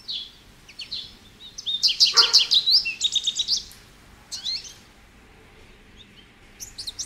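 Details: American goldfinch singing: a fast jumble of high twittering and chirping notes in a burst of about two seconds, followed by scattered high chips over a faint background hiss.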